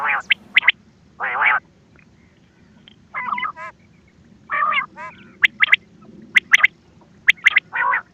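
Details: Quail (bater) calls for hunting, recorded 20 October 2025: harsh, nasal churring notes alternating with sharp, clipped whistled pips, repeated about once a second with brief pauses.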